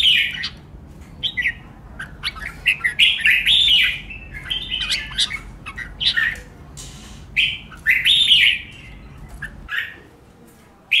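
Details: Competitive singing by red-whiskered bulbuls, used to train newly caught caged birds; bubbly warbled phrases in uneven bursts, with quieter chirps between them and a drop to near silence near the end.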